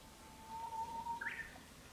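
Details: Spring song of a Japanese bush warbler in rural countryside, heard during the breeding season: a long level whistle gives way to a short, brighter upward flourish, against a noticeable background hiss.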